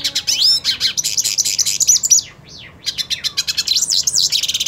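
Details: A purebred male hooded siskin (cabecita negra), wanting to fight another male, pours out a rapid, twittering song of high buzzy trills and slurred whistles, nearly unbroken, with no other sounds.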